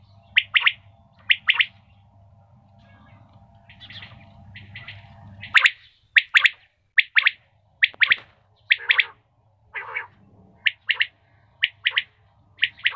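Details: Female common quail giving sharp chirped notes, mostly in pairs, scattered over several seconds, with a soft hum and some fainter calls between them.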